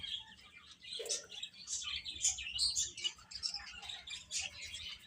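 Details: Chicks feeding and playing together, giving a busy stream of thin, high peeps that come in rapid, irregular succession, with one lower brief note near the first second.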